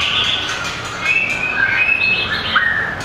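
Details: White-rumped shama, a small bird with a very long tail, competing in song: clear sliding whistles and short warbled notes over a noisy background.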